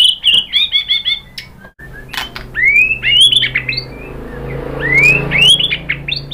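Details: Lure song of a White-rumped shama to set other birds singing: rapid high repeated notes, a pause, then upward-sweeping whistles rising in pitch and a second similar upslurred phrase.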